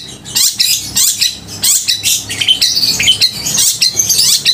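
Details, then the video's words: Loud, crystal-voiced long-tailed shrike singing to arouse emotion and mating urge in other shrikes; busy high twittering and shrill slurred notes in rapid bursts, with a faint low hum behind. "Cendet gacor suara kristal dan keras cocok untuk memancing emosi dan birahi cendet"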